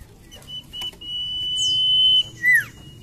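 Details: Common iora song used as a lure: a long level whistle sustained for over a second, ending in a loud downward-curving whistled note, with faint high sweeps above.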